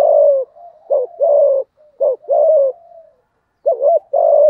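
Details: Cooing spotted dove, thổ voice, used to provoke a rival male: low hollow two-part coos, a brief note then a drawn-out slightly falling one, with short pauses between phrases.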